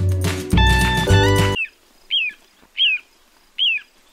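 Three short, clear, downslurred whistles, 'pee-oo', about one every 0.8 seconds, from a Little Ringed Plover. Loud music plays before them.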